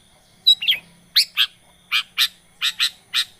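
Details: Long-tailed shrike lure with short buzzy harsh notes given in pairs, roughly twice a second, after a brief whistled opening.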